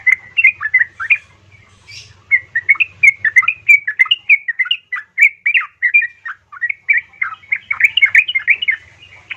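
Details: A female yellow-vented bulbul calls to a male with rapid, nearly nonstop chattering and gurgling notes, about three per second, over a faint low hum.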